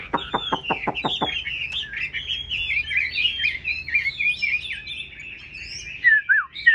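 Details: Caged Chinese hwamei begins with a rapid volley of seven sharp descending notes, then launches into a long, varied, fluid warbling phrase of rising and falling whistles.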